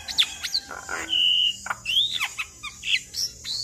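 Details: Javan myna giving varied song of sharp high whistles, a long steady whistled note, upswept slurs and short clicks, against a constant high insect-like hiss.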